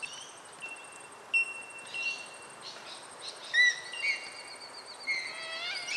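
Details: Superb fairywrens in suburban Melbourne, Australia, including moulting males and an affectionate pair. They give thin, high whistles and brief sliding notes in scattered bursts over a steady, high insect hum.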